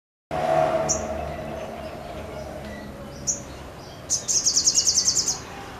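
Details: Sogon singing vigorously with wings spread, said to be in full sriganti-style shooting song: a steady low hum at first, then sparse high chirps and a fast buzzy high trill near the end.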